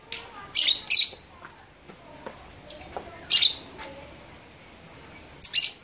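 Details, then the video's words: Labet recorded at Blokagung, Banyuwangi, in January 2018: a few short, very high, scratchy chirp bursts, two close together near the start and two more spaced seconds apart, over a quiet background hiss. "Kicau Burung Labet"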